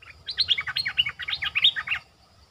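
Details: Streak-eared bulbul kept as a lure bird, calling to draw in wild birds: a rapid burst of bright chirpy notes jumping up and down, lasting about two seconds, then quiet.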